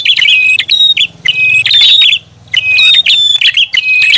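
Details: Prinia lure call of dense high chirps and thin whistles in quick bursts, over a steady low buzzing hum in the background.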